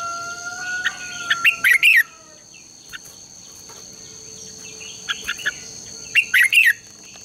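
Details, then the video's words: Red-whiskered bulbul contest-style singing used to stimulate trained birds: long even whistled tones at the start, then two bursts of rapid warbled chatter several seconds apart, over a continuous high whine. "Luyện chào mào hót sáng | chào mào hót đấu"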